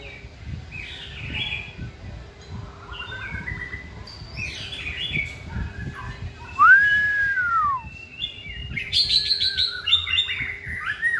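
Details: White-rumped shama in song training delivering varied whistled phrases with quick chirps, then a loud, clear arched whistle rising and falling near the middle, followed by denser high twittering; faint low rumble beneath.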